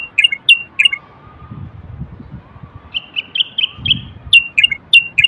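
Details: Common bulbul, described as the Moroccan bulbul of North Africa and praised for its sweet song, giving short bright whistled phrases in two bursts, several quick chirpy notes each, with soft low rumbling in between.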